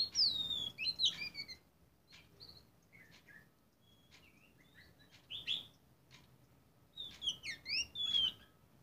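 An Oriental magpie-robin sings bright, varied phrases of clear whistles, sharp down-slurs and quick chirps, in bursts separated by short pauses. There is no other notable sound.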